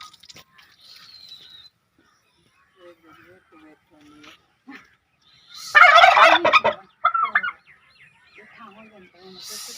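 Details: Turkey call as one loud, dense, rattling gobble after several seconds of faint, scattered sounds, followed by a few quieter calls.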